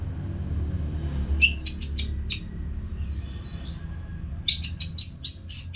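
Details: Orange-headed thrush (Anis Merah) from North Bali, Singaraja, singing nonstop, used as a training song to get caged birds singing. Two bursts of rapid, high chirpy and whistled notes with a short gap between, over a steady low hum.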